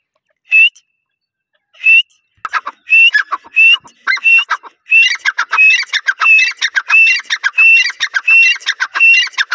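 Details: Grey francolin calling: a loud, ringing series of repeated harsh clicking notes mixed with whistled rising notes, starting with sparse single notes and building into a fast, continuous rhythmic chant about one and a half phrases per second, with no background noise.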